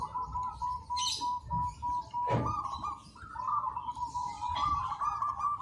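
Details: Local Zebra dove in full song for use as a training master: a steady, slightly wavering cooing tone held through the clip, with short noisy knocks and a rustling background.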